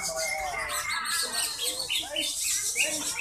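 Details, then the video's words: Prize-winning Greater green leafbird (cucak ijo), first-place contest champion, in rapid, varied song of chattering phrases and sharp high whistles, with a busy background of voices and other birds. "cucak ijo juara"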